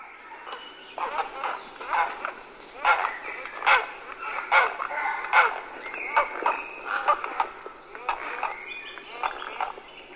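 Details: Grey herons calling: a dense run of harsh, croaking calls overlapping one another, repeated more than once a second for ten seconds, with some thinner higher notes mixed in.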